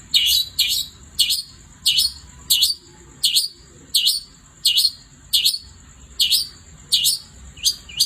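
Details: Long-tailed shrike in vigorous night song, repeating a bright, dipping high chirp steadily about every two-thirds of a second, a dozen times, above a continuous thin high whine.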